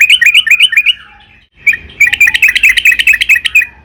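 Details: Sooty-headed bulbul singing gacor, meant as a lure to draw other bulbuls into song: a fast string of clear, bouncing chirped notes, a short silence, then a longer, denser burst of rapid chirps.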